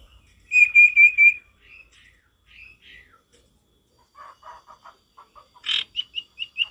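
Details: Male ashy tailorbird singing in the wild: a loud trill of piercing chirps, scattered softer notes, a low stuttering run, then a burst of bright repeated whistles near the end.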